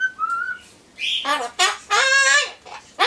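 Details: Pet Solomons corella talking to itself indoors while waiting for pumpkin; a thin whistled note, then a bright rising squeal and drawn-out nasal, voice-like syllables, with brief pauses between phrases.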